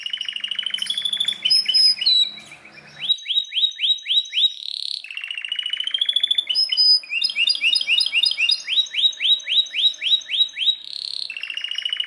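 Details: Belgian canary singing loudly: long varied song of rolling trills, brief pause, then runs of rapid upswept whistles and tight chirping phrases repeated several times a second.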